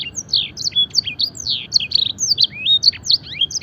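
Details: Canary singing a lively training song that mimics blackthroat and edel sanger birds. Bright, high notes come in rapid, varied bursts, with slurred upward and downward sweeps and short trills.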